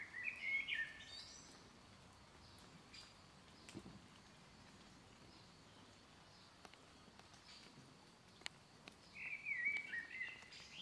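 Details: A black redstart at Rakovnik, Ljubljana, Slovenia, on 4 June 2023 gives two brief, high, wavering phrases with a scratchy edge, about eight seconds apart. The background is quiet and outdoor, with faint clicks.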